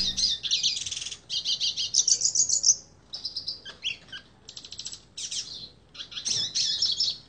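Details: Yellow-faced Siskin (Spinus yarrellii) singing a high, rapid twittering song of bright chirps, trills and buzzy notes in quick bursts with short pauses between them.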